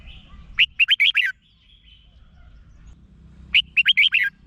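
Red-whiskered bulbul gives two bright, bubbly phrases of five rich whistled notes, about three seconds apart, over a faint low hum.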